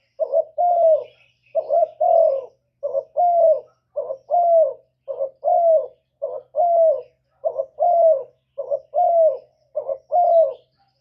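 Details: Spotted dove cooing to draw in wild doves: a steady run of about a dozen two-part phrases, short coo then longer mellow coo, roughly one phrase per second, clean and close.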